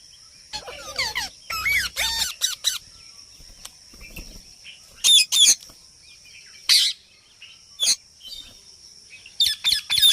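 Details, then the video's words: Parrot chattering and making assorted sounds: scattered sharp chirps, whistled slurs and harsh buzzy notes in irregular bursts, with quiet gaps and a faint steady hum in the background. "parrot talking And Making sounds natural"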